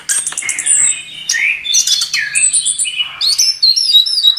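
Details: Chestnut-capped thrush in energetic gacor song, used as a masteran tutor recording for songbirds: rapid, varied high whistles, sliding notes and chattering trills, with short phrases that switch pitch every half second.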